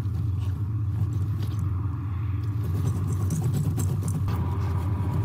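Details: Steady, heavy low rumble like wind buffeting a microphone, with scattered faint knocks and rustles and no animal voice.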